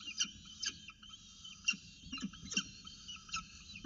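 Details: Peregrine falcon chicks feeding at 9.36 am on 29 October 2018 in the Orange nest box, where an adult watches and then feeds them. Quiet, repeated, harmonic squealing notes sound roughly every half second over a low background hum.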